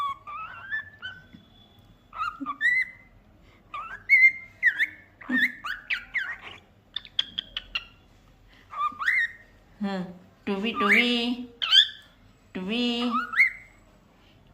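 A cockatiel sings a run of clear whistles, slurred up-and-down notes and harsher chattering phrases.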